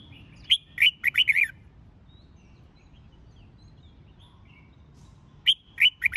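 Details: Red-whiskered bulbul singing to stir up birds for singing contests: a lively phrase of five sharp, slurred whistles, a long pause, then the phrase starts again.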